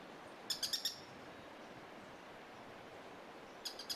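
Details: Streak-backed Treehunter calling from undergrowth just up the road in cloud forest at San Gerardo de Dota, Costa Rica, summer 2017: two bursts of four sharp, dry, high clicking notes, about three seconds apart, over quiet forest hiss.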